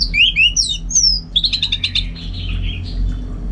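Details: North Bali orange-headed thrush, a caged bird, delivering looping whistled notes sliding up and down, then a fast series of repeated sharp chips fading into a softer descending warble; low hum underneath.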